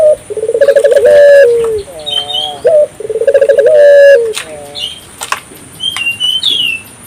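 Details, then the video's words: Lure call of an African collared dove meant to set other local doves calling: two rolling, pulsed coos ending in a sustained note, each followed by wavy short notes, with small birds chirping higher and a brief wing-like flutter. "suara burung puter gacor,merangsang burung puter lokal ikut gacor"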